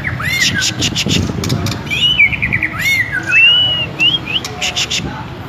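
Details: White-rumped shama in vigorous song, delivering a series of clear, sweeping whistled notes that rise and fall, spaced about half a second apart, over a steady low background hum.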